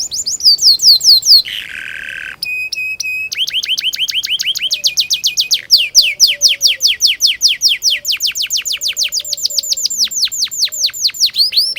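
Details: Singing canary, recorded to train young canaries: long run of quick descending whistled notes, broken by a brief harsh buzz and a thin steady tone, then an unbroken rolling trill of repeated sweeps.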